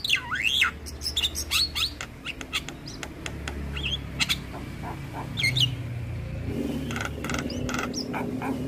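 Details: Black-winged starling singing as a model for young starlings: loud swooping whistles that rise and fall, scattered squawks and clicks, fading into softer chatter over a low background hum.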